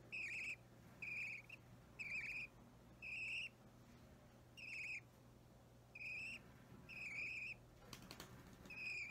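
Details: Three-week-old budgerigar chick, opaline or normal green, being hand-fed indoors on 30 March 2017: short raspy begging calls repeated roughly every second, about nine in all, plus a brief clatter near the end and a low hum.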